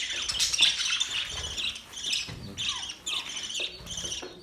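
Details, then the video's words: Budgerigars chirping in a mating chorus, high twitters and short downward-sliding whistles repeated about twice a second, with scratchy chatter and soft wing-like flutters. "Budgies singing | Budgies mating sounds | Budgies chirping sounds"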